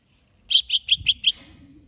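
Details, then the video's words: Five crisp, evenly spaced high notes in quick succession, each slightly lower than the last, from a greater green leafbird getting ready to compete in a singing contest. "Cucak HIJAU siap diajak LOMBA"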